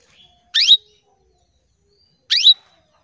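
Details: Female canary calling for males, a lure for male canaries: two loud, quick upswept chirps spaced nearly two seconds apart, each ending on a sharp high point, with near silence between.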